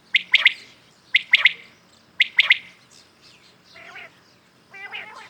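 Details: Common quails heard in the morning give three bright, rapid three-note phrases about a second apart, followed by quieter nasal, buzzy notes.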